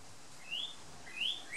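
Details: Red northern cardinal, a male, in a garden on the Big Island, giving two short upward-sliding whistles about three-quarters of a second apart, with a light steady hiss behind them.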